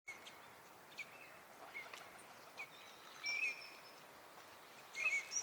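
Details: Eurasian teal at Junsai-ike Ryokuchi park pond, Chiba, Japan, March 2025, a wintering bird, giving short, clipped high 'krik' whistles about every second over steady background hiss, with a few thin higher notes.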